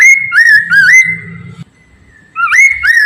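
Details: Poksay mandarin (Chinese Hwamei) singing loudly as a lure for other birds to join in: clear, slurred whistles rising then dipping, a brief gap, then two more upswept whistled notes.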